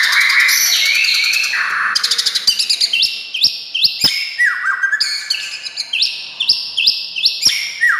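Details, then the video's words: Song of a white-rumped shama intended to stir other shamas into song: a harsh, chattering opening, then crisp whistled phrases with sharp clicks, repeated at a brisk, uneven pace. "SUARA kicau MURAI INI Buat semua jenis murai gacor,buat Murai DIAM Langsung NYAUT"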